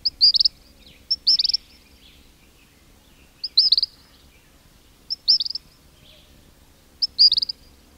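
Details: A king cormorant colony at close range, chicks whistling and adults grunting: loud, high, fluttering whistle bursts repeat every one to two seconds, each a quick run of several notes.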